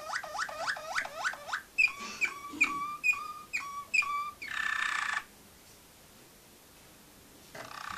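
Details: Young Malinois Waterslager canaries recorded in 2012: a run of fast looping whistled notes, then a series of clear repeated whistles about every half-second, ending in a short noisy burst.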